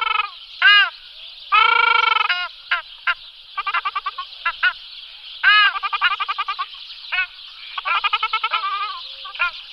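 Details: Ruddy shelduck calling repeatedly: a long nasal honk among rapid series of short harmonic honks in bursts, over a steady background hiss.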